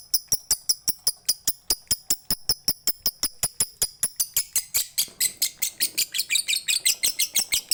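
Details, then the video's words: Lovebird from Bali, Indonesia, in a long ngekek run meant to prompt other lovebirds. Evenly spaced high chirping ticks speed up steadily, then turn into a denser, harsher chattering rattle toward the end. "MASTERAN LOVEBIRD KICAU MANIA BALI NGEKEK NGETIK PANJANG MANTAP BUAT PANCINGAN BURUNG LOVEBIRDMU"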